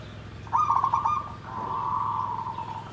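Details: Zebra dove song in the nggandem gedhe garing style: a quick pulsed trill of coo notes flows straight into a long, smooth, slightly falling coo.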